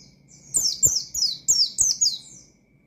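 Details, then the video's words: Oriental white-eye singing energetically in the ngalas style, calling out to rivals to stir untrained birds. Six high, thin, sharply descending whistled notes arrive in quick bursts, with faint low clicks underneath. "Burung Pleci Gacor Ngalas Nembak Mangil Lawan,Memicu Emosi Pleci Bahan"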